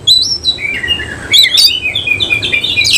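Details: Semi-cililin oriental magpie-robin singing in tail-spread display. High thin whistles slide downward, followed by a louder passage of sharp, warbled and buzzy notes ending in a rising squeal.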